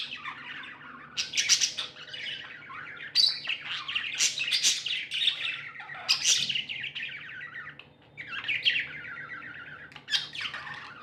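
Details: Happy pet budgies chatter continuously, a busy stream of bright warbling chirps and squeaky trills in overlapping bursts, with a steady low background hum.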